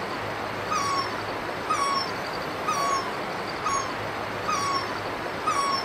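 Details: Great barbet calling in Himachal Pradesh, India. Clear, medium-pitched two-part notes with a short upslur then a level tail, repeated steadily about once a second over a constant hiss of background noise.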